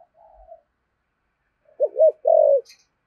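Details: Decoy spotted dove with a "thổ" voice gives a soft low note, then after a pause a wavering double coo followed by one longer level coo.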